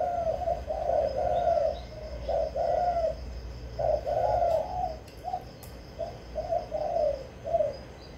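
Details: Decoy spotted dove, quick to start singing, delivering a series of mellow, throaty coo phrases separated by short pauses, with a few faint clicks in the background.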